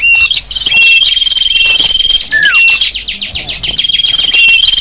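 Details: Lure chorus of small birds, called sapu jagat, for attracting wild small birds; rapid rhythmic ticking twitters under long thin whistles, with upswept chirps and one downslurred note.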